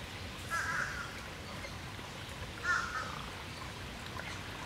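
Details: Demoiselle crane in a creekside aviary, where the adults forage and feed chicks, giving two short, hoarse, fairly high calls about two seconds apart over a steady rushing background like wind or running water.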